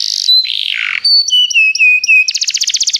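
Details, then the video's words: Canary training song: a buzzy falling warble, a series of short level whistles dropping step by step, then a fast pulsing trill of rich repeated notes. "Canários Begie cantam muito"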